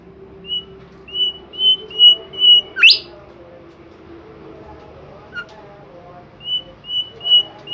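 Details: Lively Bimoli bird song: a steady series of five level whistled notes, a sharp upswept whistle, a pause, then three more level whistles, over a low murmuring background.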